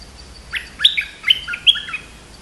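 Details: Streak-eared bulbul song: a short burst of quick, bubbly, slurred notes rising and falling in four or five linked chirps over about one and a half seconds, against a faint steady background hiss.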